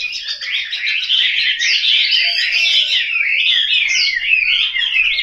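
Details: Captive Chinese hwamei kept at home in Hanoi, Vietnam, delivering an unbroken stream of bright, fluty whistles and quick warbled slurs, loud and varied from start to finish.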